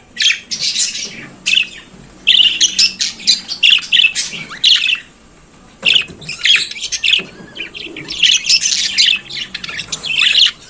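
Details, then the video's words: Budgerigar morning song: chattering, scratchy chirps and squawks in fast clusters, broken by a pause near five seconds before the chatter resumes. "Periquito Australiano Cantando pela Manhã"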